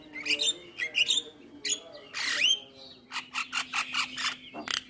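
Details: Javan myna in full isian song, said to provoke answers from other mynas: squeaky double chirps, a harsh descending rasp, then a steady series of dry clicks and a thin whistle.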